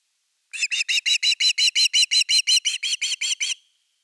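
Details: Osprey at nest #3, Finland, 30 August 2021, evening fish on a live nest camera. A long steady run of about sixteen evenly spaced whistled chirps over three seconds.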